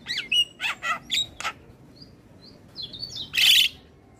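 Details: Asian pied starling song for training captive starlings: a few harsh rasping notes and a whistle, quiet thin whistles, then one loud hissing squawk.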